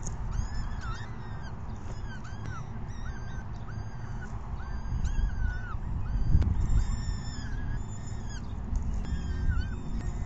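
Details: Peregrine falcon chicks at a 6 PM feeding on May 14, 2021 give rapid, irregular arched begging cries in a continuous stream, with a louder thump midway and deep rumbling noise beneath.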